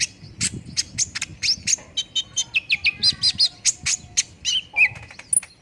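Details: Olive-backed sunbird lure song, used to get a bird to sing quickly: a brisk string of high, clipped chirps and short twittering downslurs, roughly three to four a second, over faint low background noise.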